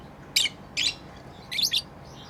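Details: Pet lovebirds chirping while playing: three short, harsh, high chirps, the last a doubled burst, spaced about half a second to a second apart over a quiet background.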